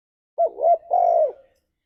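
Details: Spotted dove singing a gacor ngalas-style phrase meant to lure pet doves: a two-part low coo, a wavering first note joined to a longer, steady, falling second note.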